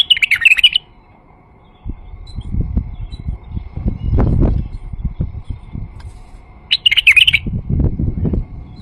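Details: Male White-eared Bulbul, a tame bird, sings to attract other bulbuls; two brisk warbled phrases frame a stretch of loud low rustling and handling noise.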